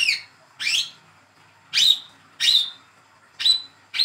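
A young Brown-throated sunbird gives sharp, high, downward-slurred chips, about six in four seconds at an uneven pace. No other sounds stand out.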